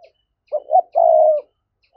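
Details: Spotted dove giving a 'gáy thúc' (urging) coo used as a lure to excite wild doves: a short two-part low hooting phrase followed by one long, steady, slightly falling coo, against a quiet background.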